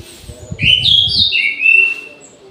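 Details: Orange-headed thrush in an aviary singing at midday, rich slurred whistles climbing and falling in a rapid phrase, ending on a long level whistle, over low rumbling background noise.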